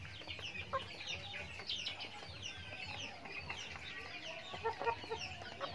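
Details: A backyard flock of chickens feeding; continuous overlapping peeps and descending chirps from many birds, with a few sharper tonal notes near the end and a low rumbling background.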